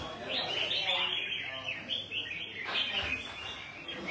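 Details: Red-whiskered bulbul, one of two newly acquired caged birds in Đồng Nai, Vietnam, giving bright chirping, warbled phrases in quick bursts throughout, with men talking in the background.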